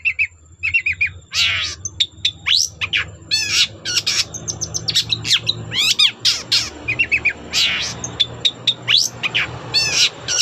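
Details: Long-tailed shrike in full song, used to spur other shrikes to sing along. Harsh squawks and scratchy, chattering notes mix with high whistles over steady low background noise.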